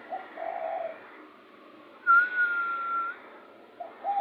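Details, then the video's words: Heated spotted dove cooing, suited for luring birds: a hollow, throaty coo phrase opens, then a long level whistle sounds in the middle, and another short coo begins at the end. "BURUNG TEKUKUR SANGAT MEMANAS COCOK UNTUK PIKAT"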